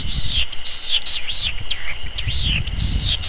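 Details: A perched Latham's snipe calls with harsh, looping, rasping notes in quick succession, several a second, over a low rumble of wind.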